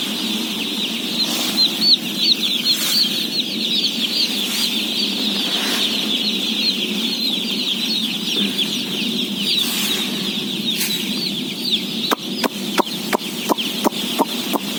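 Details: Thousands of day-old chicks, a flock of about 17,000 at feeding time, fill the air with a dense, continuous chorus of high, wavering peeps over a steady low hum, with a run of sharp clicks near the end.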